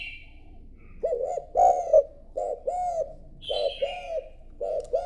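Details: Spotted dove kept as a decoy and stirred to coo: a string of low, hollow coo notes, some doubled, mixed with bright high twittering from other birds.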